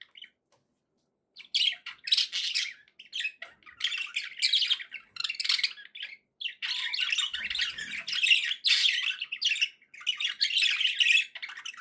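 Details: A short silence, then pet budgerigars break into long runs of rasping, buzzy warble mixed with squeaky notes, rising in density and running almost unbroken to the end.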